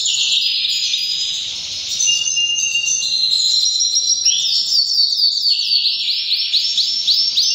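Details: Canary in breeding season giving powerful song: rapid varied high trills and rolls, sliding between phrases, ending in a fast series of repeated looping notes, several per second, loud and unbroken throughout.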